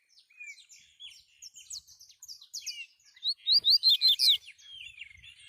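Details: Double-collared seedeater in the wild, recorded by mobile phone: soft, varied twittering builds into a loud burst of about six sharp, high, swooping notes before fading back to quieter chirps.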